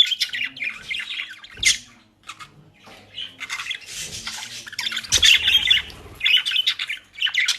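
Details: Pet budgerigars indoors in the Den Haag region, South Holland, Netherlands, enjoying dry leaves and grass bought from a bird shop; bursts of scratchy, squawking chatter overlap in clusters, with brief quiet gaps between outbursts.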